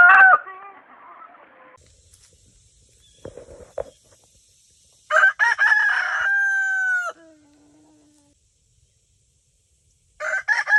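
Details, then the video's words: Leghorn rooster: a crow opens the recording, then a quiet stretch with faint knocks and a thin high whine. A second crow follows, a broken start into a held tone that slides downward, and another crow begins at the end. "Ayam Leghorn BERKOKOK"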